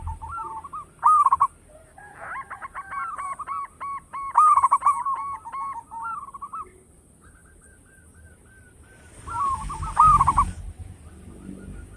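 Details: Local zebra dove with a big voice, used for luring wild birds, delivering several bursts of rapid staccato cooing with quieter gaps, a brief rustling noise near the end and a thin steady background whine.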